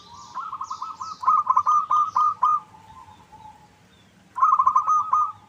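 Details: Lure recording of a local zebra dove to coax other birds into answering: a long, stuttering string of rapid coo notes, then a quieter trailing note, a gap, and another rolling burst; small birds chirp faintly behind.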